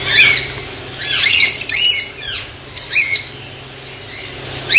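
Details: White lovebirds in a colony in Pakistan, giving shrill, high squawking calls in bursts with rapid chattering notes, several birds calling over a steady low hum.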